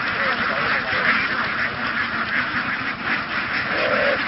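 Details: A flock of laying ducks in Vietnam, herded through fields and boarded onto a boat to migrate, gives a softer, steady murmur of countless overlapping quacks, with one lower drawn-out note near the end.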